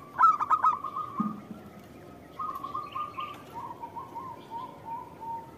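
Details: Local zebra dove used as a lure sound to draw a reply from other doves. Soft, mid-pitched cooing notes run in a bubbling series, with a few sharper chirps at the start and a brief low rumble.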